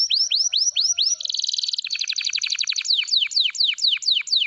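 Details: Canary of the F2 type, kenari F2YS, in full song: looping upswept whistles, a dense fast trill, a rattling run and a string of repeated falling notes.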